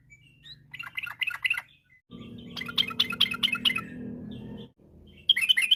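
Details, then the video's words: Yellow-vented bulbul song recorded in the afternoon as a lure for other songbirds: short bursts of bubbly chattering notes, quieter in places, with a steady low hum under the middle phrase. "pancingan trucukan bahan biar bunyi gacor.! trucuk ropel, trucuk gacor fariasi, trucukan sore hari"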